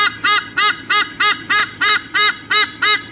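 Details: Eagle pair at a nest camera at Sydney Olympic Park, Australia, on 3 August 2014, squawking before changing over at the nest: loud, harsh, honking calls repeated steadily about three times a second, each a short nasal burst.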